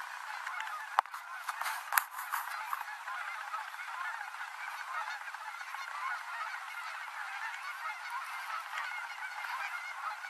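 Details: Evening flock of Canada geese spiralling down onto the Rogue River in Oregon; two loud knocks early, then a continuous chorus of many overlapping honks for the rest of the recording.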